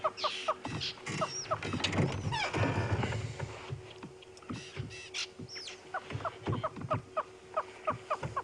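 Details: Francolins at Djuma private game reserve, South Africa, on a sunrise drive on 23 June 2015, give sharp, rattling alarm notes at a passing side-striped jackal, about three a second, other birds joining in; vehicle rumble and a man's voice underneath.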